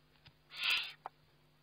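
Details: Eurasian eagle-owl at feeding time, filmed by a webcam on 29 May 2011: one rasping, breathy hiss lasting under half a second, followed by a soft tap, with a low steady hum behind it.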